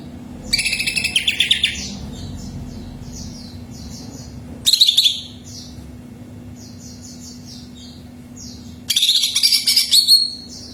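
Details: Greater green leafbird singing to prompt another bird to sing: three bursts of rich, rapid, high chattering phrases, separated by quieter stretches of soft, repeated twittering notes, over a faint low hum.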